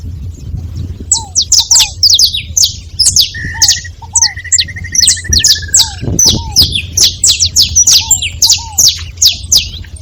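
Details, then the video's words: Several saffron finches make noise together with a dense chatter of high, sharp chirps. A rapid mid-pitched trill runs for a few seconds, and lower curved notes are scattered through. "Canário da terra junto fazendo barulho"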